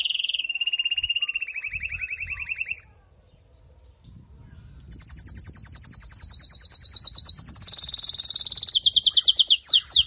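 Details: A female canary calling to stimulate the male once moulting is over: a rolling mid-pitched trill, a pause with faint background rumble, then a long, very high, rapid trill that rises slightly.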